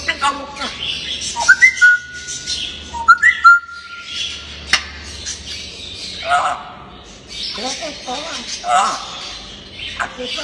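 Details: A playful talking grey parrot gives two pairs of clear whistled notes, each a quick rising slur into a held tone, followed by softer, speech-like chattering sounds.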